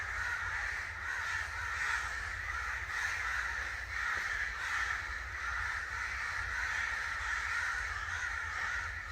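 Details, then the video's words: A flock of angry crows keeps up relentless harsh cawing, with the overlapping calls forming a steady, even racket. "Crow Sounds | Angry Crow Sounds | Crow call"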